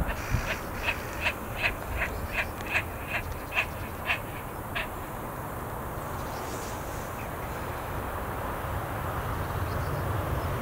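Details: Great crested grebe pair near Den Oever, Netherlands, on 3 March, nesting and mating before resuming courtship display; about nine harsh, evenly spaced calls over five seconds, then only steady background rumble.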